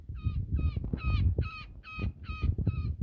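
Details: Woodpecker caught in a net during a rescue, angry and calling for help: seven harsh, nasal, buzzy calls in about three seconds, each with a falling tail, over heavy low rumbling and handling noise.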